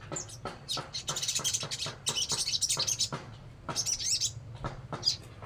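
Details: Crimson sunbird (sogon), a bird kept by Indonesian songbird hobbyists, singing actively in a fast, busy run of high thin chirps and twitters, many notes a second with short pauses, over a low steady hum.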